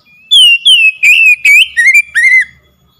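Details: Oriental magpie-robin song meant to provoke a silent bird into singing. Six strong whistled phrases: long falling slurs give way to shorter warbling notes, and the last phrase dips and rises.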